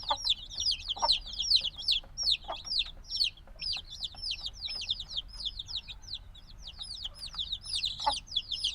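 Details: Several newly hatched black chicken chicks, only days old, chirping noisily in a binaural field recording; shrill arched peeps pour out continuously from many birds, with a few soft thumps underneath.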